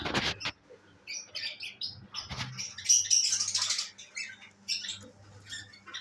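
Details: Several pet albino red-eyed lovebirds, kept at home and recorded 5 September 2023, give high, scratchy chirps in quick clusters amid bursts of wing flapping and rustling, over a low steady hum.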